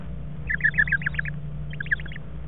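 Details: Barred owl in a nest box on 14 February 2014, feeding on a frog: a quick burst of about seven short, chittering notes, a brief pause, then a second burst of four or five, over a steady low hum.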